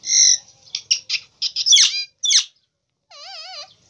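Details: Talking green Indian ringneck parakeet: a string of short harmonic squawks and chattering syllables, then a drawn-out wavering whistle that wobbles up and down, in a quiet room.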